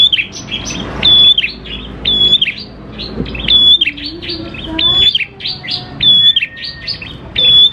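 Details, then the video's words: Lure song of a chattering prinia, used to make prinias start singing: dense high chirping with repeated short level whistles, plus a soft lower rising note midway. "PANCINGAN PRENJAK KLAWU GACOR, NGALUN BIKIN PRENJAK CEPAT BUNYI"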